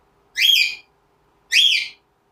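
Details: Pet cockatiel figuring out how to climb rope stairs, giving two loud, bright beeping calls about a second apart, each short and slightly rasping with rich overtones, over an otherwise quiet indoor background.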